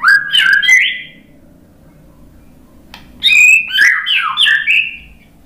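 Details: White-rumped shama lure song: two rich, rolling whistled phrases with quick up-and-down slides, a long quiet gap between them and faint low hum beneath.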